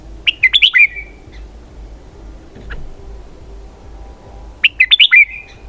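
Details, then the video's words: Red-whiskered bulbul delivering two identical 'double-twist' phrases of quick, slurred descending whistles, several seconds apart. "giọng hay cực xoắn kép"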